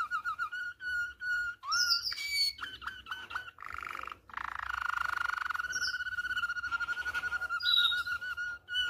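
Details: Malinois canary song recorded for teaching young canaries to sing: long rolling trills on a steady mid pitch, interrupted by clear whistled notes, high squeaky glides and rapid clucking tours.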